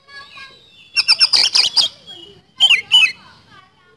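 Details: Singing Oriental magpie-robin (kacer) in the 'nembak speed roll' style: a soft, faint lead-in, then a quick rattle of about seven high notes, followed by two or three downslurred whistles over a faint steady background tone.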